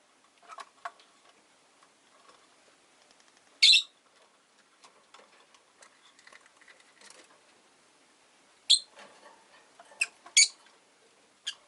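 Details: Rosy-faced lovebirds in a cage by a window, five birds, one orange-faced bird competing for a spot on the perch; a few sharp, piercing chirps spaced seconds apart amid soft ticking and shuffling, street noise and rain faintly behind.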